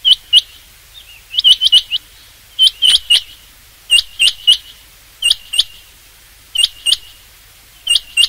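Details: Rain quail voice for hunting use: bright, abrupt whistled notes grouped in twos and threes, each cluster about a second apart, loud and dominant against faint background hiss.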